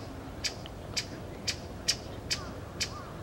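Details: A pale thrush in the plum grove at Osaka Castle, Japan, on 14 February 2015, gives six short, sharp, high ticking notes, evenly spaced about twice a second, over a faint low hum.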